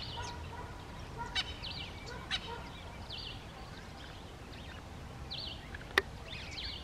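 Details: A very vocal Natal spurfowl, a species calling mostly at dawn and dusk, gives harsh, grating cackles in rapid repeated bursts throughout, with a few sharp knocks and background hiss.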